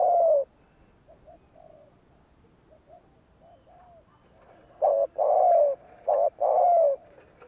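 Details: Spotted dove "gù kích" provoking coo: one falling coo, then quiet distant cooing, then a loud burst of short and long falling coos near the end.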